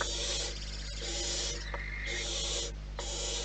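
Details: Barn owls at their nest in the wild, giving long harsh hissing screeches of broad noisy sound, with a brief higher tonal note midway and steady low hum beneath.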